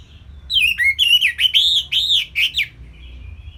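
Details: Simple song of an Orange-headed thrush for songbirds to imitate: a lively series of arched, whistled notes repeated rapidly, around seven in two seconds, followed by a soft trailing whistle, with a faint low hum.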